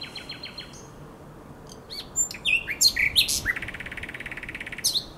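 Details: Common nightingale singing at the Żerań Canal in Poland, night of 23–24 April 2022: soft repeated high piping notes open, then loud varied whistles, a sharp rising slur and a fast, even run of pulsed notes repeated to the end.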